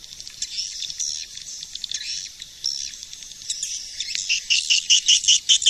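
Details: Swiftlet lure call from 2020: a busy mix of high, buzzy twitters that starts loose and uneven, then settles into loud, clipped chirps repeated at a quick, regular beat near the end.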